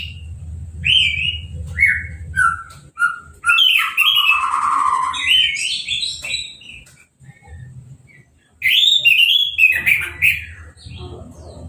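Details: Orange-headed thrush in a cage after moulting, hose-sprayed for its bath and uncovered, sings varied whistled phrases: short looping notes, a lower rough warble, a pause, then a loud tumbling series of bright whistles, with a low hum in places.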